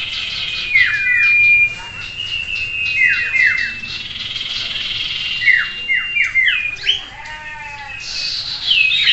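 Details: Common Iora (sirtu) singing in a simulated bird-contest setting used to train its mentality for singing competitions; loud sharp whistles and repeated down-slurred notes in quick series, overlapping busy high chatter from other birds.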